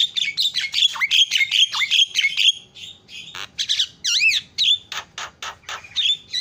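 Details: Javan myna lure recording meant to set other birds calling: quick run of harsh, squawky notes mixed with short whistled slurs, then rising and falling whistles and buzzy bursts, notes tumbling several per second.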